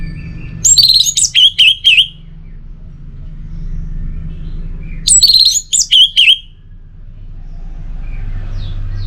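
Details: Song of an Orange-headed thrush played to coax quiet birds into singing: two short bright phrases of varied high whistles and chirps, a few seconds apart, over a steady low hum.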